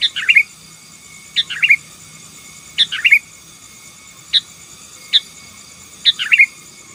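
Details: 'Gacor' singing of a sooty-headed bulbul meant to overpower rival birds: brisk chirping phrases, some full bubbly clusters and some single sharp notes, about seven in all over a thin steady tone.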